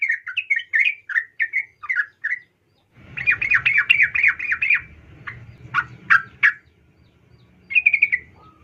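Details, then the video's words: Female sooty-headed bulbul, called trucukan locally, calling a male as a lure; spaced bubbly chirps, then a rapid chattering run over low rumble, a few sharp notes and a final quick burst. "trucuk Betina memanggil jantan"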